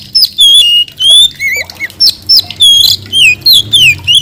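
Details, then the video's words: White-rumped shama delivering loud, ringing whistled phrases almost without pause: clear falling and looping notes, occasional lower curled syllables, in a quick, lively rhythm of about two to three phrases per second. "mp3 kacer gacor"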